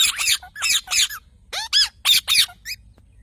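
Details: Parrot giving a quick series of harsh, harmonic squawks and chirps, about seven short bursts in three seconds, some with rising-then-falling arched notes; quiet low hum in the background.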